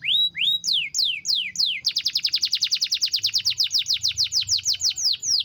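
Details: Canary singing a long, luxurious rolling song (ngerol): a few high, downward-sweeping whistles, then a fast, even trill of rapid descending notes, about six per second, running without a break.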